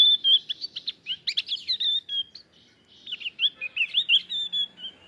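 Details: Male Javan grey-throated white-eye, a Javan endemic, singing a rapid, continuous warble of bright twittering notes and slurred whistles, with a brief pause midway before the chattering phrases resume. The background is otherwise quiet.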